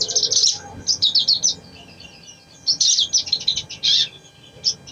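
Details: Crimson sunbird song, played to prompt a reluctant bird to sing: bursts of rapid, high, thin chirps and trills in two main phrases with a short pause between them, over faint background hum.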